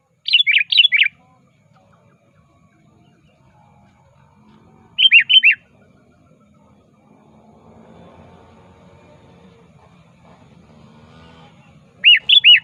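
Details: Sooty-headed bulbul challenging a rival, used as a lure: loud bursts of four to five fast, bouncing notes, then shorter three-note phrases after long gaps of about four and seven seconds, quiet hiss between.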